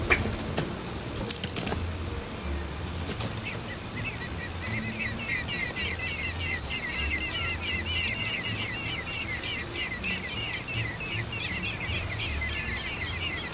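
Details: Common blackbird chicks being fed worms by their parents. After a few sharp clicks, a dense chorus of rapid, high, thin chirps starts and keeps going without a break, over low rumbling background noise.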